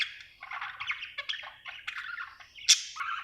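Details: Happy budgie chirping with soft, rolling chatter and scratchy trills, ending with one sharp loud click followed by more warbling.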